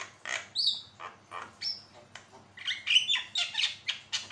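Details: Chatty caged Javan myna singing, kept as a training tutor to prompt other birds into song: rapid run of rasping, buzzy squawks mixed with brief whistled upslurs, about four notes a second, uneven rhythm.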